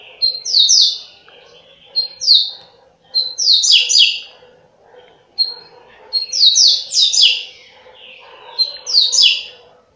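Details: Quick-fire 'flash' song of a coleiro, billed as 30 songs a minute: short clusters of sharp, buzzy falling notes, some preceded by a single high whistle, repeating roughly every one to two seconds with faint low background hum.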